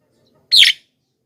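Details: A single harsh, slurred Javan myna note, used to lure wild mynas, lasting a fraction of a second.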